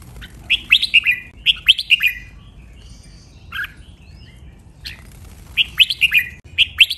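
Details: Training song of a caged red-whiskered bulbul: lively runs of clear, sliding whistled notes in two groups, with a few scattered single chirps during a quiet middle stretch and a fresh phrase run at the end.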